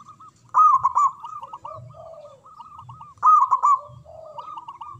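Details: Big-voiced local zebra dove performing manggung song to stir silent doves; two loud trilled bursts about two and a half seconds apart, each trailing into a run of short coos, with a lower dove calling between.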